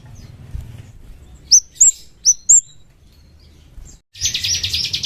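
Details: Chestnut-capped thrush lure call: four sharp, high whistled notes falling in pitch, spaced about a quarter second apart, then a harsh buzzy rattle after a brief silence.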